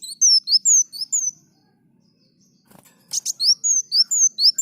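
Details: Olive-backed sunbird singing briskly: bright, thin whistled slurs, each note rising or falling, delivered in rapid runs, broken by a pause and a couple of sharp clicking chips before the string of slurred whistles resumes.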